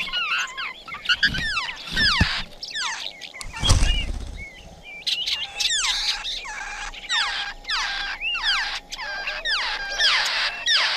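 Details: Laughingthrush nest in nature with parents feeding young in rain: rapid bursts of high chirps and squeaks, a clattering rustle of wings and movement in the middle, then strident harsh repeated calls toward the end.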